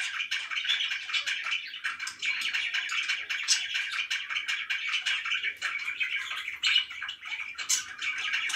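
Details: Several pet budgies keep up a long, steady chorus of twittering chirps and scratchy warbles indoors, with no clear gaps.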